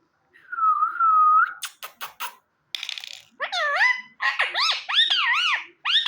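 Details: Pet ring-necked parakeet talking indoors: a level whistled note, then a burst of sharp clicks and a hiss, then a run of high, voice-like rising and falling syllables with rich overtones.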